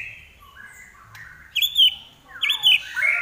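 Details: Common iora song building from a quiet steady whistle to two loud, warbled high phrases with bright overtones, separated by a short pause.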